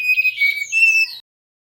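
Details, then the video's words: Male mangrove whistler singing, used as a lure: a level whistled tone followed by a rising, slurred whistle, the phrase about one second long. "Suara Asli Burung Tledekan Bakau"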